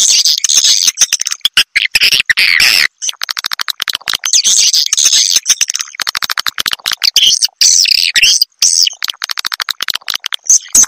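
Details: Swiftlet calling and luring sound: dense, high, buzzy twittering in rapid bursts with short clicking pauses, repeating every second or two without letup.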